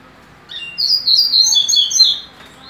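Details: Double-collared seedeater (coleiro) of the Barra Mansa line, a bred songbird, sings a fast run of high warbled and trilled notes lasting about two seconds, with faint background noise.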